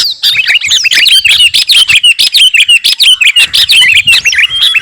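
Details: Caged sooty-headed bulbul, known locally as kutilang garuda, in full training song: a steady stream of quick, sharp chirps and bright slurred whistles, about ninety notes a minute, continuous and loud throughout.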